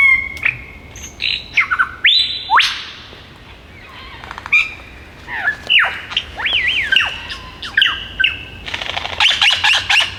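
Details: Perched male superb lyrebird in the Dandenong Ranges bush singing to attract mates, imitating other birds: whistled slurs, a looping warble, sharp upward sweeps and a final harsh chattering rattle, all loud and varied.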